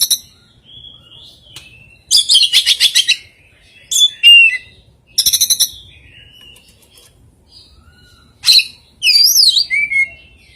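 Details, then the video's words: Strange oriental magpie-robin song with very rare fill-in phrases: thin high whistles, stuttering rapid chattering trills, wavering swooping notes and soft falling whistles spread over ten seconds with short silences. "Suara kicauan KACER yang aneh, & isian yang sangat LANGKAH"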